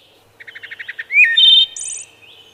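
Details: Wood thrush singing: a run of soft low stuttering notes, then a bright rising fluted whistle and a clear held note, ending in a high buzzy trill.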